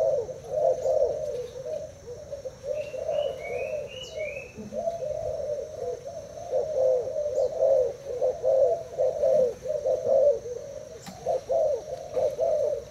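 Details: Thai-type spotted dove in a cage, cooing contest against a decoy: low rolling coos sustained for the whole stretch at about one per second, with a brief run of high chirps from another bird early on.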